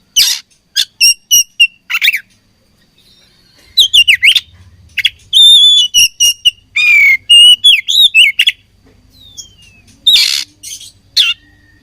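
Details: Fighting oriental magpie-robin (kacer) delivering rapid bursts of short clipped notes, then a lively run of clear whistles, twisting slurs and a rasping buzz, followed by a pause and another harsh burst.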